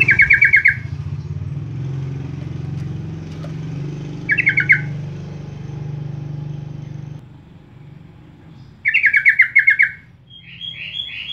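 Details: Sooty-headed bulbul lure call meant to draw in other birds: short bubbly chattering bursts repeated several seconds apart, one higher warbled phrase at the end, with steady engine rumble from passing traffic beneath.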